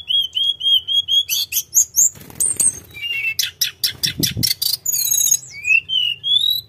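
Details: Sunda robin (tledekan gunung) in full, continuous rolling song: a row of clear level whistles, then buzzy rattling bursts, sharp chirps and rising slurred notes in quick succession, with a low hum underneath.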